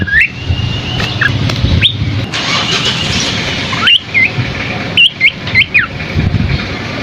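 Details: Lively Scaly-crowned babbler song with rich phrasing: short high whistled notes, quick upward and downward slurs, and a brief burst of several sharp notes near the end, all over constant low mechanical rumble.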